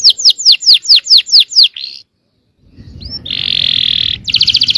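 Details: Yellow canary song meant to set other canaries singing: a series of loud down-swept whistles, a short buzz, a second of silence, then a steady buzzy roll and a fast trill over low rumble.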